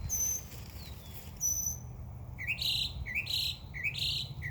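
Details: In a summer backyard, two thin high whistles are followed by a series of upward-swooping chirps repeated roughly every half second over a low background hum.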